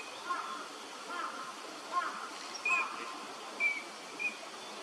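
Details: Eurasian teal (Anas crecca) gives short, clear whistled notes, a handful about a second apart, over a steady broad hiss; a wintering bird at a park pond, Junsai-ike Ryokuchi, Chiba, Japan, January 2026.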